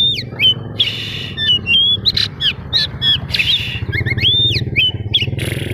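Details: Kacer daput, an oriental magpie-robin, in lure song meant to trigger rival magpie-robins: repeated bright whistled notes and sharp rising slurs with harsh chattering bursts between, against a steady low hum.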